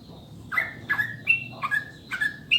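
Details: Sooty-headed bulbul master song for prompting kept birds to sing: clear, mellow two-part whistles, each dropping then levelling, repeated roughly every half second, over low background hum.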